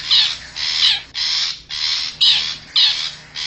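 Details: Long-tailed shrike of the forest used as a wild-bird lure: loud, rasping bursts repeated about twice a second, each a coarse grating shriek.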